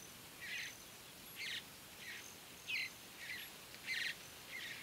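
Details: Young Mountain Bluebirds in early morning light at Great Sand Dunes National Park, Colorado, while adults feed them: short scratchy rasps come in an uneven series of about seven bursts.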